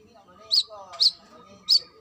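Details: Brown-throated sunbird, female calling to the male: three clipped, very high chirps, with faint lower murmuring underneath.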